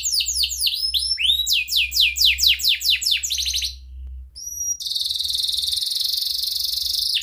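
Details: Atlantic canary song aimed at coaxing young or silent canaries to sing: a quick series of descending chirps about twice a second, a brief pause with two short whistles, then a long dense buzzing trill, over a soft low hum.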